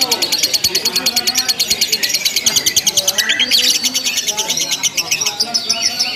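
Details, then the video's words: Lovebird in a simulated contest, chattering ngekek without pause: fast high trilled notes run steadily, interrupted midway by a louder harsh squawk-like burst, then the rapid chatter carries on. "LOMBA LOVE BIRD TERBARU 2025 NGEKEK TANPA JEDA DURASI PANJANG"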